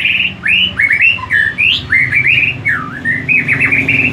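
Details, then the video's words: Tame captive-bred White-rumped shama from Banyumas, Central Java, having gone through two moults, singing loud varied whistled phrases, slurred rising and falling notes in a rapid, nearly unbroken stream. "Murai Batu Gacor Jinak Rawatan 2 Kali Mabung"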